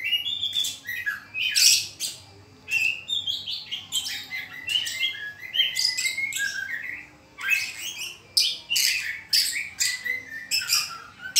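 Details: White-rumped shama in trotolan song: an almost continuous run of rich, varied phrases mixing sharp chirps, rising whistles and fast trilled notes, with only brief gaps between bursts and a faint background hum.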